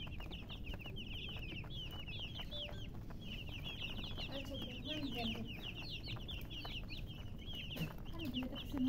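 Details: Many baby chicks peeping in a busy, high-pitched chorus of short rising and falling notes, some lower clucking notes near the end, over constant low noise.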